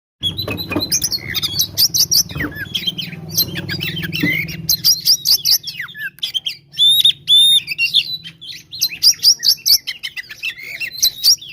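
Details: Oriental magpie-robin (kacer) giving a 'gacor tarung konslet' fighting song, used as a lure to provoke rival kacer into quick aggression. Rapid, varied high chattering with harsh squawks and sharp whistled slurs, nearly continuous; a low hum underlies the first four seconds.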